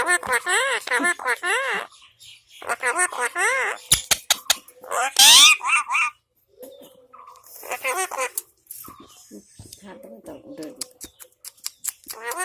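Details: Domestic parrot giving a quick run of arched, harmonic squawks for about two seconds, then a harsh, loud burst with rapid clicking notes, followed by softer, varied chattering and speech-like sounds indoors.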